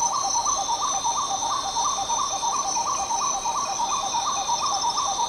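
Spot-winged Wood-Quail giving a mellow, rolling series of low hooting notes, about three per second, over a steady high insect drone.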